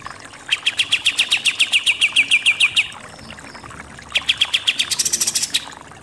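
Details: Kapas tembak (pied triller) singing its 'nembak' style: a fast burst of some twenty sharp repeated notes over two seconds, a pause, then a second rapid series that ends on higher, thinner notes.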